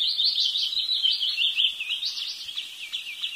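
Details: Wood sandpiper calling: a fast, continuous run of high, wavering chirped notes that slide up and down without pause.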